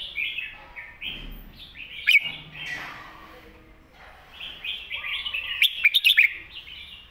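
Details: Red-whiskered bulbul master song for teaching young birds, with a chain of stepped whistled notes, a loud click near two seconds, and a dense burst of sharp notes near six seconds.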